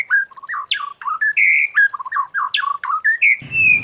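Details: White-rumped shama singing a wild-style forest song, played for training other shamas to sing. Rich, melodious whistled phrases that rise and fall, with quick slurred notes and a sustained clear whistle near the end.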